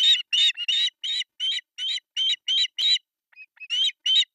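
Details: Three osprey chicks on an artificial nest in Pohjois Satakunta, Finland, beg at breakfast feeding on July 1, 2024, nest camera. Nine loud, high cheeps in a regular row, a brief lull with faint notes, then more cheeps resume.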